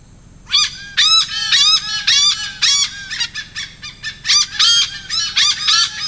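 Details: Malabar pied hornbill (Anthracoceros coronatus) in Konkan, India, giving loud, harsh, cackling honks in rapid bursts, several notes a second, with brief pauses between volleys.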